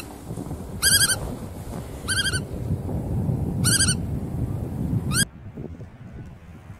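Bar-tailed godwit giving four short, nasal, slightly rising calls spaced one to two seconds apart, over steady low wind rumble.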